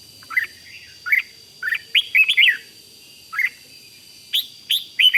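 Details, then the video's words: {'caption': 'Red-whiskered bulbul giving the Thai rik song that excites other birds: short separate whistled notes and a fuller warbled phrase near the middle, spaced by brief pauses, with a steady faint tonal hum in the background.'} "เสียงนกกรงหัวจุก ร้อง ริก ยั้วให้นกคึกดีมาก"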